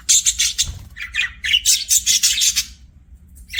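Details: Budgerigar kept as a pet, chirping in rapid bursts of bright, scratchy high notes, several quick phrases in a row with a short pause before a final chirp.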